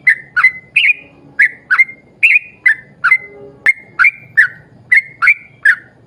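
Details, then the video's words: Yellow-vented bulbul in lively, long rapid-fire 'ropel panjang' song, played as a lure to set other bulbuls singing: about sixteen bright, bubbly whistled notes, many slurring downward, in quick pairs, with one sharp click midway and a faint low hum beneath. "trucukan gacor ROPEL PANJANG buat pancingan trucukan agar bunyi"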